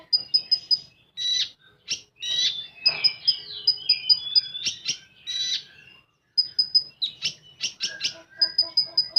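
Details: Full tembakan song of a common iora: rapid strings of high piping notes alternating with harsh rattling bursts and warbled whistles, a brief silence midway, then dense repeated chips.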